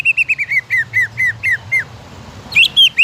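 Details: Greater green leafbird song meant to stir other leafbirds to sing: a steady series of about ten clear, downslurred whistles, then a pause and a few brighter, higher notes.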